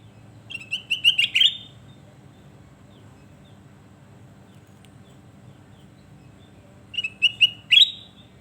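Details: Kutilang emas, the sooty-headed bulbul, singing: two brisk phrases roughly six seconds apart, each several quick bright whistles ending on a sharper accented note, over a low background hum.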